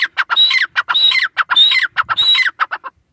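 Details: A francolin pair (irani teetar) calls at close range. Scratchy, chattering phrases each carry a thin whistled note that slides downward, with four phrases in quick succession.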